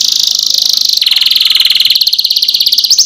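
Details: Canary singing in the Indonesian gacor ngerol nembak style, a lure song to stimulate other canaries to sing: unbroken rapid rolling trills, high and dense, shifting to a lower pitch after a second and changing rhythm again after two.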